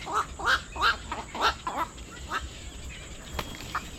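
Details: Black-crowned night heron near water giving a run of harsh, croaking quacks, about five in the first two seconds spaced roughly a third of a second apart, followed by fainter scattered calls over steady background noise.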